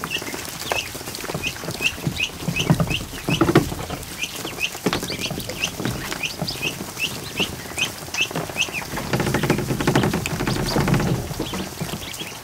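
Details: In an afternoon barn setting, one of 100+ newly hatched ducklings in a kiddie pool peeps in a steady run of short high notes, roughly two per second, while others splash and patter in the water.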